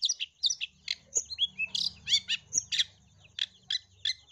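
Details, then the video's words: Long-tailed shrike song with imitated sparrow phrases, aimed at getting other shrikes to sing: clear upslurred whistles and sharp chirps in loose sequence over a soft low hum. "PANCINGAN CENDET GACOR FULL ISIAN TEMBAKAN GEREJA"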